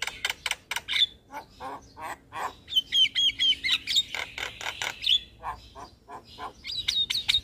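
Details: Javan myna training song for young birds, full of varied fill-ins: steady harsh rasping notes, about two per second, broken by thin high whistled phrases in the middle and again near the end.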